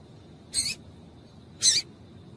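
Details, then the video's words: Female seedeater call used to stir a male into song: two brief, bright, high-pitched chirps about a second apart against quiet background hiss. "Piado de Fêmea de Coleiro para Esquentar Coleiro"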